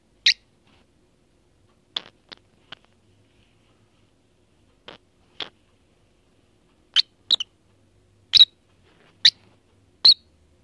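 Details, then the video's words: A lovebird gives odd, short, shrill, squeaky chirps, singly or in quick pairs, at an uneven pace with silent gaps between. "Lovebird Making Odd Noises"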